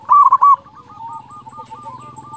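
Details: ['Zebra dove of local stock singing as a prompt for other doves: one short, loud cluster of clipped coos at the start, then a steady string of softer, evenly spaced coos from other birds.']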